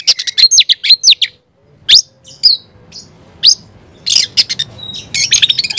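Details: Oriental magpie-robin giving a burst of quick, varied chirps and warbles. After a short silence come single loud scratchy notes spaced a second or so apart, ending in a tumbling chatter.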